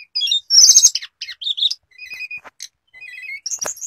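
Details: Tledekan (hill blue flycatcher), a mimicking songbird, giving a brief burst of buzzy high notes followed by softer level whistles and a sharp final chirp.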